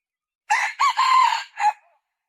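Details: A female red junglefowl gives a hoarse four-part call: two short notes, a longer drawn-out note, then a clipped final note, all within about a second and a half.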